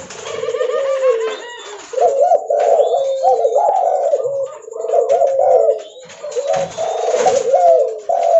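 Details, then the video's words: Spotted dove of the leopard variety, very vocal, cooing loudly while walking; rapid runs of short, hollow, wavering coos follow one another with brief pauses and scattered clicks and rustles behind. "Suara Derkuku Leopard Volume Besar Super Gacor Bunyi Sambil Jalan"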